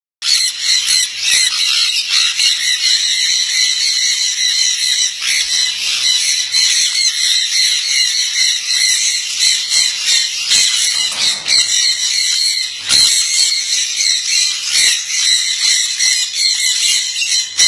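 A sun conure screeches loudly, harsh grating squawks running almost without pause.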